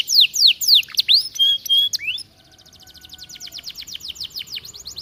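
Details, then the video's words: Canary in full, vigorous song for training other birds: loud looping sweeps and a steady whistled note, then a long, softer, rapid series of clipped repeated notes. "Kenari gacor cocok untuk masteran"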